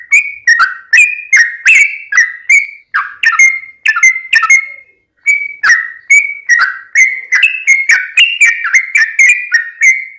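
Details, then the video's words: Steady stream of bright, bubbling phrases from a yellow-vented bulbul, used to coax other bulbuls into song; notes swoop down and up, broken by a single short silence midway. "trucukan gacor ROPEL PANJANG buat pancingan trucukan agar bunyi"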